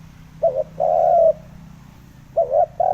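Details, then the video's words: Spotted dove lure recording for provoking decoy birds: two coo phrases, each a short wavering note then a longer steady mid-pitched coo, over a faint low hum. "Âm thanh kích chim cu gáy mp3 mới nhất 2021! (Tiếng kích chim bổi)"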